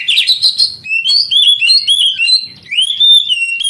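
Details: A kacer (oriental magpie-robin) sings in a recording made to stimulate young canaries: rapid rasping chatter at first, then a series of clear, sweet whistles sliding up and down, ending on a long rising note.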